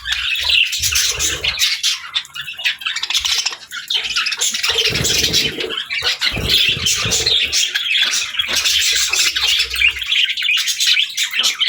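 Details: Budgies housed with lovebirds keep up a long, continuous stream of rapid, raspy chirps and twittering, loud throughout, with bursts of low knocking and movement noise partway through.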